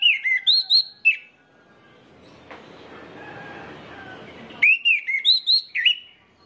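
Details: Orange-headed thrush singing, recorded as a lure to set other orange-headed thrushes singing: two bursts of five or six rich, slurred whistled notes, separated by about three seconds of low rumbling noise.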